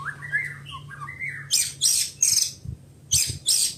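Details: White-rumped shama giving soft, low warbled whistles, then several loud, harsh, rasping bursts repeated about every half second, with faint low thumping in the background.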